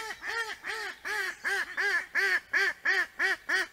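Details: Wild mallard at Liepāja, Latvia, in September 2024: a steady series of nasal quacks, each arched and rasping, about three per second, with no other clear sounds.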